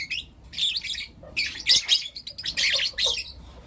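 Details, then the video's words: Four young lutino lovebirds chirping in the morning: busy, harsh, high-pitched chatter of overlapping squawky chirps in bursts about half a second long, with short gaps between them and faint background noise. "Lutino LoveBird Chirping Sounds"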